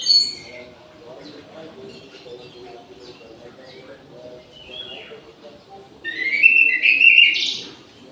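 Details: At midday in an aviary, soft scattered high notes lead to a loud, rich warbled phrase toward the end from an orange-headed thrush, over a steady low background drone.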